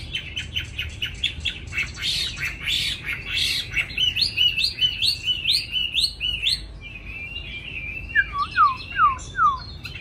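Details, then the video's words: Young caged Chinese hwamei, described as a quick, eager singer, delivering a rich varied song of rapid repeated whistled phrases, then clear slurred notes and a series of falling whistles, over a low steady background hum. "mi hót mau mỏ"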